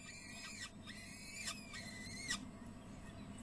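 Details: Peregrine falcon at De Mortel, Netherlands, 30 April 2009 at 19:30, giving three drawn-out, harmonic whining calls, each slightly rising then falling, about a second apart over a low background hum.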